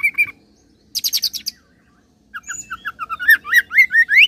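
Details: Oriental magpie-robin singing a mimicking song that strings cililin and serindit imitations together: a few high notes, then a burst of rapid buzzy trills, a pause, then a fast run of rising whistled slurs and chirps.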